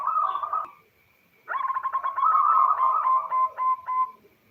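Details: Female local zebra dove calling the male, a lure to prompt male singing: a trilled coo phrase, a gap, then a long stuttering run of rapid low coos that slow toward the end.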